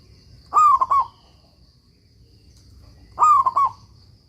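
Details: Two cooing phrases from a local Zebra Dove recorded as a master song for other doves: each a sliding opening coo trailing into a few quick rolled notes, about two and a half seconds apart, over faint steady hum.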